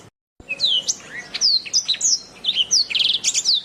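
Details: Masteran recording of a canary singing: after a brief silent gap, bright high whistles, downward-sweeping slurs and quick rattling trills tumble out continuously, ending in a burst of rapid repeated notes.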